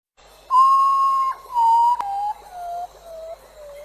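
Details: Urutau, also called ghost bird or potoo, a bird native to Central and South America and the subject of many legends: a series of about six mournful whistled notes, each falling lower and shorter than the last, with a long first note.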